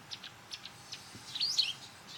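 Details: White wagtails in a garden in autumn as territorial disputes intensify: soft, high chirps scattered through the first second, then a louder twittering call burst.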